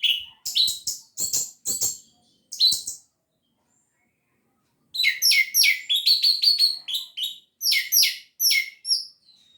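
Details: Lively 'gacor teler' song of an orange-headed thrush, a lure for birds that rarely sing: dense runs of sharp, varied, high whistles and chirps, a short break, then a long rapid string of ringing notes.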